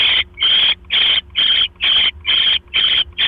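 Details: Owl nest at night, 9:40 PM on October 12, 2015, as a mouse arrives: rapid, regular breathy hisses, about two per second, each a harsh, noisy rasp with short gaps between.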